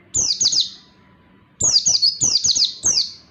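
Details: Oriental white-eye (pleci) song used as tutor material for training lazy birds to sing: high, thin, sharply descending chirps in quick bursts of three or four, a short burst, a pause, then three bursts in a row. Background quiet.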